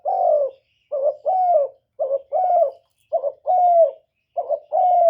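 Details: Spotted dove calling, a recording used to lure wild doves: low, hoarse coos in paired phrases, a short note then a longer falling croon, about four phrases in five seconds with brief silent gaps.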